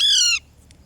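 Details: Parrot call: a single loud, harsh, rich squawk lasting under half a second and falling slightly at the end, followed by quiet faint ticks.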